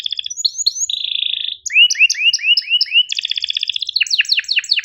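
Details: Canary training song for birds that rarely sing, with sharp chirps and rolled trills: pure whistled notes, a steady buzzing trill, rising upswept slurs repeated about five times, then a fast pulsed trill and falling notes.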